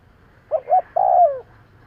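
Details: A spotted dove, used as a lure for birds, gives one phrase: two quick muffled hoots, then a long drawn-out coo sliding downward at the end.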